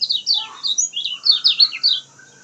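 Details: Kecial kuning, or lemon-bellied white-eye, singing lively as a lure for reluctant birds. A fast, high, sweet twittering of short descending chirps strung closely together, bright and loud, then a brief quiet tail.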